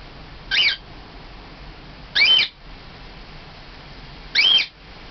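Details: Two-and-a-half-year-old male cockatiel of normal colouring, kept at home, calling out for a companion: three piercing, upward-sweeping whistled shrieks spaced about two seconds apart, loud against a low steady room hum.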